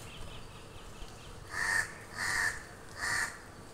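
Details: Crows calling to the person recording, giving three loud, harsh, drawn-out caws spaced under a second apart after a quiet start with faint distant calls.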